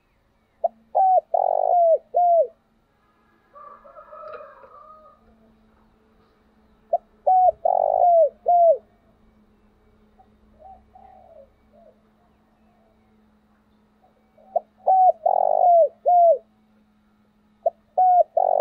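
A wild dove gives rhythmic bursts of low, hollow coos, used as a decoy call to lure other doves.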